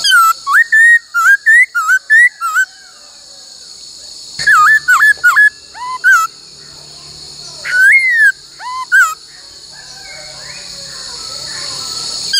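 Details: A female laughingthrush sings many-voiced loud, clear whistled phrases of rising and falling notes in quick bursts with short pauses, over a steady high hiss; a song used to stimulate and train males.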